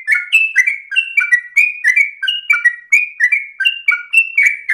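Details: Yellow-vented bulbul in continuous, fast song, long-winded and easy for untrained birds to learn. Notes pour out almost four per second, flat whistles and short downward slurs crowding together in a bubbling chatter.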